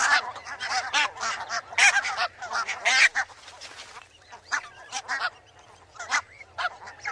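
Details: Barnacle geese in a noisy group, giving a dense stream of high, harsh barking yelps that overlap. The chorus is loudest in the first three seconds and thins toward the end.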